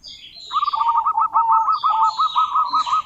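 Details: Local female zebra dove calling a rival: a mid-pitched cooing phrase made of fast, evenly stuttered notes run together into a long rolling trill, with faint higher overtones.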